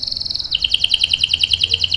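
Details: Canary song used as a lure to get other canaries singing: a fast buzzy high trill, then a string of sharp repeated chirps around four per second, all high-pitched with faint low hum behind.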